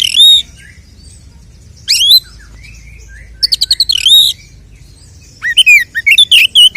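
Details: Oriental magpie-robin singing aggressively, used as a lure to stir other males: separate bursts of sweet high whistles, one with rapid clicking ticks, divided by short silences, a final flurry of varied whistled phrases.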